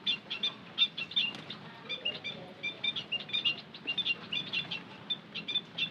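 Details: White-headed munia lure call: busy, almost continuous chatter of short, high, squeaky chirps in rapid bursts, some doubled, running evenly from start to end.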